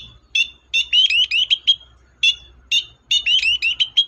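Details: Long-tailed shrike singing in a lively, full-voiced way, used as a lure to make silent shrikes sing: quick bursts of sharp chattering notes with rising whistles, grouped in two rapid clusters and separated by short single notes.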